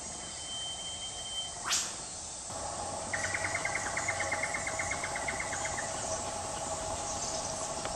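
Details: Australian whipbird, wild in bush undergrowth, male and female calling each other: a single loud whip-crack sweeping sharply upward, then a rapid buzzy run of short repeated notes for about three seconds over steady insect hiss.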